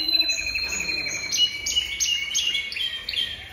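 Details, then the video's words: Song of a Jaspe canary: a steady high whistle breaks into quick repeated trill notes, about three per second, each chip bright and slightly descending. "Chant Canari Jaspe"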